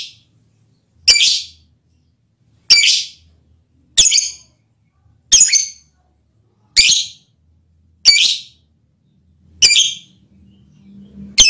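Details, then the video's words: Lovebird giving a mating call that affects the male partner, a run of eight sharp screechy shrieks spaced about every one and a half seconds, indoors, with quiet gaps. "Lovebird's mating call and its effect on the male partner"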